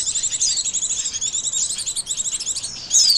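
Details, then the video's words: High, rapid twittering of white-eyes, played as a lure for trapping birds, carried on continuously with a thin falling whistle at the start and another at the end. "SUARA PIKAT BURUNG PLECI"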